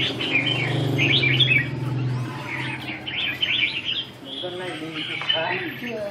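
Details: Red-whiskered bulbul at a 2 June 2012 training session: quick, rapidly repeated chirping notes and warbles, a low droning hum in the opening seconds.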